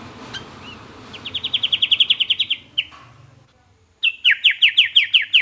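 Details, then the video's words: Sooty-headed bulbul song meant to provoke replies from other bulbuls: a steady run of about fourteen quick downslurred chirps and a final slurred note, then after a short silence a louder series of about eight downslurred notes. "burung trucukan manapun langsung nyaut dibuatnya"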